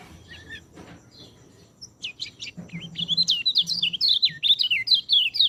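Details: Song of a white-eye for coaxing quiet birds to sing: a few soft, scattered chirps, then a bright, rapid, continuous twittering warble of high slurred notes.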